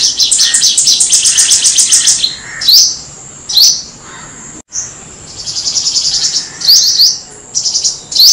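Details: Black-throated Sunbird song, meant as a clean lure recording: rapid, high-pitched twittering trills broken by sharp rising chips and short buzzy notes, all very high and thin.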